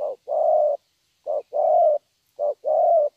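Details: Young spotted dove, a bird with strong, well-pitched calling in the local "thổ" style, giving low hollow coos: a short note followed by a longer drawn-out note, repeated about once a second three times over a quiet background.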